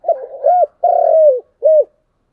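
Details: Close spotted dove cooing in chiêu and thúc styles, a three-part phrase of mellow, hooting notes: a wavering coo, a long sliding coo, and a brief rounded final coo.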